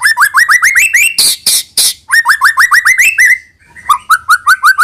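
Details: White-rumped shama singing to lure young birds into song: fast runs of rising whistled notes separated by harsh raspy bursts, after a brief gap resuming the rapid repeated upslurs.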